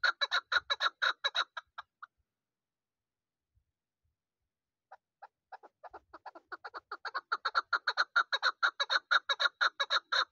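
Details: Young hunting chukar partridge from this season: a loud burst of rapid chuk notes for two seconds, a pause, then sparse notes that quicken and swell into a sustained, steady clucking series.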